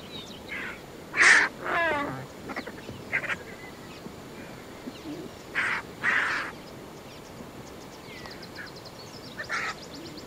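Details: White-backed, hooded and lappet-faced vultures fight while feasting on a buffalo carcass on the Shingwedzi river banks, Kruger National Park, giving harsh hisses, rasping squeals and short grating bursts.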